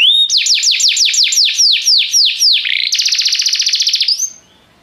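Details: A restless canary's song: about ten loud descending whistled sweeps in regular succession, then a rapid high rattle-like trill, ending in a short rising whistle before quiet.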